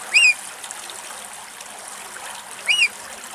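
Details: A Eurasian oystercatcher in Greece, feeding on a snail, gives two loud, shrill piping notes, arched and sharp, spaced about two and a half seconds apart over a steady trickle of water.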